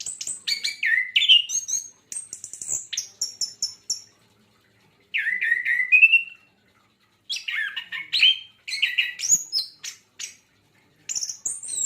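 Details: Javan white-eye song in bursts separated by short pauses: high, thin twittering phrases with quick rising and falling whistles, some very high sharp notes.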